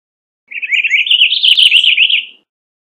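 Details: A Purple Finch delivers one continuous, liquid warble of about two seconds, its quick notes wavering up and down in a steady, rolling stream.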